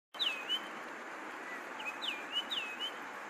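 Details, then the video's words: Yellow-throated longclaw call: clear, high whistled notes that drop then level off, repeated in short phrases over a steady background hiss. "Yellow throated Longclaw call"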